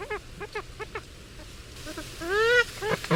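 Purple Swamphen giving short nasal, bleating notes in quick bursts, then a longer drawn-out wail that rises and falls, with more clipped notes at the end.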